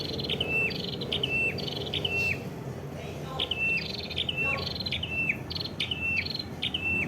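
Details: Prenjak kepala merah from Kedungprahu village, East Java, Indonesia: a lively run of stepped notes, each dropping from a high flick to a lower flat whistle, repeated about once a second, with other faint bird chips behind.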